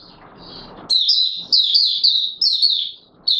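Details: Oriental white-eye in courtship mode, caged; after a soft hissy opening with faint high notes, loud rapid high warbling bursts follow, repeated with short breaks, bright and twittery.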